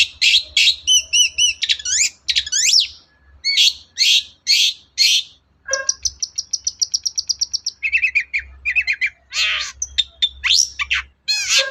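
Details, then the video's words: Long-tailed shrike singing vigorously to prompt a silent shrike to sing: a varied medley of harsh notes and slurred whistles, including a long, fast rattle of identical ticking notes midway, then more scratchy phrases. "BURUNG CENDET GACOR DOR, MEMANCING CENDET DIEM AUTO NYAUT GACOR"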